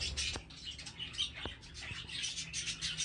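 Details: Budgerigars together with their chicks giving a busy stream of high, scratchy chirps and twitters, with a few sharp clicks and a low background hum.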